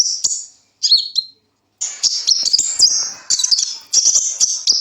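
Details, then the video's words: Sunbird, called kolibri ninja, in a song meant for training other birds: shrill, very high twittering bursts with quick chirps and warbled rolls, separated by two brief silences near the start. "suara burung koLibri ninja super gacor"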